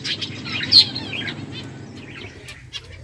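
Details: Eating finches give a quick cluster of high, sharp chirps and twitters, with one louder chirp and a few fainter calls afterward.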